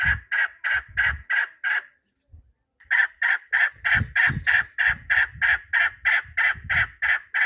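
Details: Repeated chuk-chuk calling from a chukar partridge: six rapid harsh notes, a pause of about a second, then a longer run of evenly timed notes at roughly three per second, with soft low thuds underneath.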